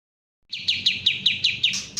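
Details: Bulbul known locally as kapas tembak: a sharp run of about eight bright, downward-slurred chips repeated quickly after a moment of silence, clear with no other sounds.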